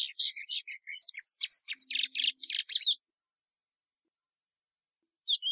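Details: Plumbeous seedeater (Sporophila plumbea) sings a three-second burst of rich chirps and buzzy notes, followed by silence and one faint closing note.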